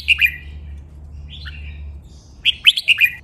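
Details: Red-whiskered bulbul singing a training song in the Thai double style of 23 counted phrases. A crisp whistled phrase opens, a softer fragment follows, then another bright run of rising and falling notes after a pause.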